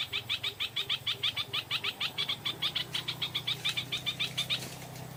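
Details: Stripe-throated bulbul in the evening, lured by a decoy bird, delivering a fast, steady series of short, bright slurred notes, about two per second, for roughly four and a half seconds before stopping.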